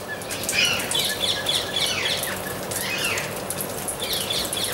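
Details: Amazon parrot uttering repeated arched, harmonic squawks and screechy notes in irregular bursts, set against constant crackling noise and faint rustling.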